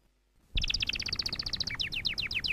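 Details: Canary song for training, starting after a short silence: a rapid run of bright, evenly repeated chirping notes, then faster downward-sliding notes, all high and ringing.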